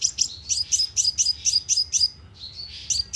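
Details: Sunbird lure call for a speaker trap: about ten evenly spaced high, sharp chirps, a softer slurred pause, then two more chips.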